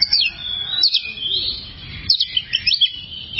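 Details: Oriental magpie-robin (kacer) in a long-duration tutor recording meant for training other birds. It gives high whistled notes sweeping up and down in quick rising and falling phrases over a low rumbling background.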